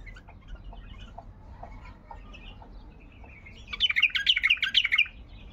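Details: Baghdadi bulbul giving a 'tayyarat' song phrase: soft scattered chirps first, then a loud rapid burst of sharp, bubbling notes repeated about twice a second over roughly a second and a half.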